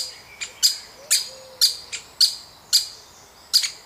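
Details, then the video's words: Woodpecker chick during feeding: a run of piercing, raspy high chirps, some louder and some softer, at irregular short intervals, with faint low whistles from other birds. "Baby Woodpecker Being Fed"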